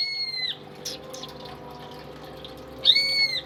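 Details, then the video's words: Pet greater green leafbird, tame and kept as a song tutor for other birds, gives two separate clear, level whistled notes with bright overtones, one at the start and one near the end, with a quiet pause between them. "BURUNG CUCAK IJO gacor dan jinak cocok buat masteran burung isian"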